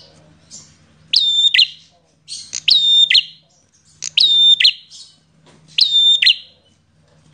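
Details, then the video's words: Aggressive bar-winged prinia, known as prenjak, singing: loud paired phrases of a sharp click, a pure high whistle and a buzzy tail, repeated about every one and a half seconds over a faint hum. "Prenjak Petarung Gacor Emosian"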